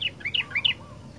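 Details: Sooty-headed bulbul giving a rapid run of five clear slurred notes, each dropping in pitch, packed into about a second over a low background hum.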